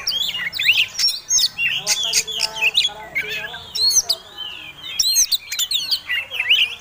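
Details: Displaying Oriental magpie-robin in fighting song, used as a lure for other birds: loud, energetic stream of twisting whistles and sharp chips, repeated in quick bursts with hardly a break.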